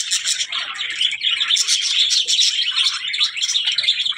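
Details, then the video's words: Budgerigars give a rapid jumble of sharp chirps and buzzy warbles, about two notes a second in uneven bursts, over a constant chattering background. "birds voice"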